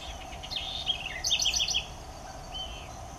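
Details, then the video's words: Southern house wren (curruíra) singing a cheerful, melodious phrase: warbled notes running into a fast bubbling trill of about a dozen bright notes, then a short whistle, with a faint steady insect hum behind. "CANTO alegre e melodioso da CURRUÍRA (Troglodytes musculus) SOUTHERN HOUSE WREN"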